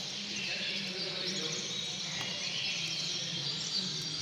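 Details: European goldfinch song recorded at the 2019 Costa Verde Grand Prix judging: a dense, continuous high twittering and tinkling without pause, over a low background murmur that may be voices.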